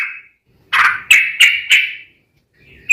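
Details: Yellow-vented bulbul in full song, played as a lure so other bulbuls answer: a short run of four bright, bubbly notes in close succession, then a pause before a final note.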